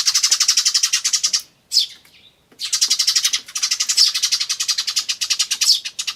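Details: Eurasian tree sparrow (Passer montanus) chicks, recorded 10 May 2013, give rapid, high, buzzy "chi chi" begging chirps in long pulsing runs of about eight a second, broken by a brief pause and a sharper adult call.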